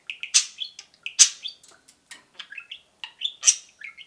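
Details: Caged pet budgerigars, two birds, peeping in a rapid chatter of high bright chirps and short warbled whistles, loud sharp notes about every second.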